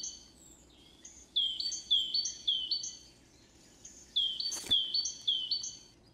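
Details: Great tit singing two bouts of a bright, ringing two-note phrase, each repeated about four times in steady rhythm, with a short pause between bouts and one brief knock or click midway.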